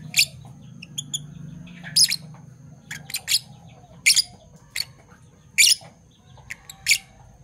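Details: Morning chatter of two Parblue Fischer's lovebirds, one violet, one turquoise: piercing, buzzy chirps repeated every second or so, sometimes paired, with faint ticking and a quiet low hum.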